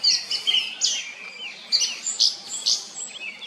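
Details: Song thrush delivering dense, high, chattering song notes in rapid, uneven bursts, with a few lower whistled slurs between them.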